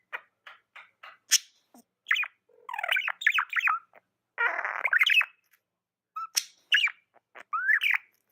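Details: Budgerigar chatter of rapid chirps and scratchy warbles, with a long grating buzzy passage near the middle and upward-sliding whistles toward the end.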